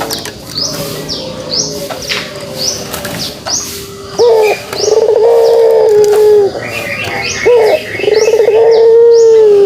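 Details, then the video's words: Kugeruk call of a pelung dove: after a noisy opening with scattered higher bird chirps, two loud sustained low coos begin with a sharp upward flick and hold steady for about two seconds each. "suara kugeruk burung puter pelung"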